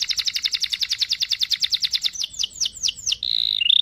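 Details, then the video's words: Canary rolling song used to teach a young canary: a rapid chirping trill that slows into falling notes, closing with flat whistled tones. "Kenari Gacor cuit cuit Ngerol Panjang ampuh untuk pancingan kenari Paud belajar Bunyi"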